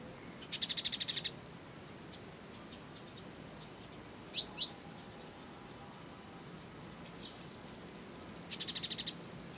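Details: Indonesian kolibri ninja sunbird, training song in 'full gereja tarung' style: a quick buzzy trill, a pair of sharp high chips, faint twitters, and another fast trill to close.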